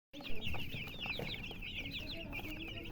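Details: Chicks chirping in a dense overlapping chorus of high, quick peeps, each a short rising-then-falling chirp, with steady low rumbling background noise.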